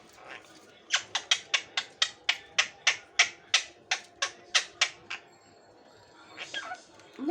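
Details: A talking pet Indian ringneck parakeet, which repeats "me too", gives a fast run of about fifteen sharp, harsh squawks, three per second, then a softer voice-like murmur.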